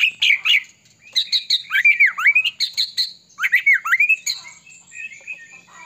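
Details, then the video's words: White-rumped shama delivering a fast, varied song to provoke other shamas: harsh chatters followed by dipping whistled phrases repeated several times, then softer twittering. "murai batu gacor AMPUH buat PANCINGAN murai batu agar bunyi"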